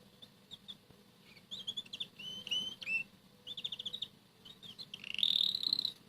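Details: Morning song of a red canary between bites of boiled egg yolk, another canary pulling at radish leaves; high whistled notes and rapid trills in short bursts, ending in a louder sustained rolling trill, with faint clicks and low room hum.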